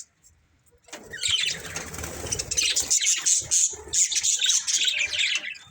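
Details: Budgerigar breeding pair: after near silence, a rustling, wing-like flutter gives way to fast, high chirping chatter with squeaky notes repeated several times a second.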